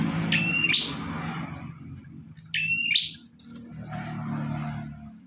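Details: Two high, ringing bar-winged prinia phrases, flat whistle rising into a buzzy end, over steady low rumbling noise and a faint hum afterward; song of an actively singing bird, meant as material for training others.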